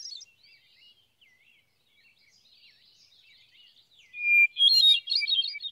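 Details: Hermit thrush in the USA singing soft, flutey phrases at shifting pitches, then a loud held whistle that breaks into a bright, ethereal spiralling warble.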